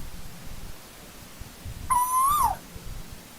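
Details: Single loud call of an Asian koel in old-growth forest, a clear whistled note climbing steadily then falling sharply, preceded and followed by quiet low hum.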